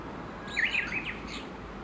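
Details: Japanese bush warblers, dozens gathered and feeding in early morning around 7:30 beneath a chinaberry tree at a bridge in Kawashima, Yoshinogawa, Tokushima, Japan; a short bright chirped phrase of quick rising and falling notes over low background hum.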